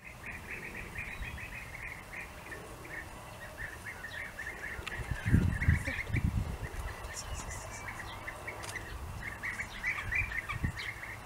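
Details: Several European bee-eaters in Austria during the breeding season give rolling, liquid 'prruip' calls, fast and overlapping throughout, over a low rumble of wind with a few thumps midway.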